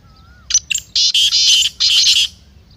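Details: Black francolin, its call offered for getting a kept teetar excited and calling. One dense, harsh phrase has two quick introductory notes and then longer grating notes in close succession. A faint whistle comes just before it.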